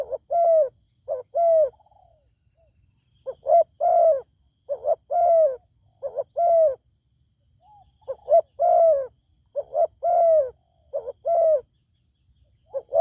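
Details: Zebra dove calling toward a wild bird with a fine voice that stays out of a fight. Around eleven cooing phrases of clipped notes and a longer arched coo come in bursts separated by short pauses.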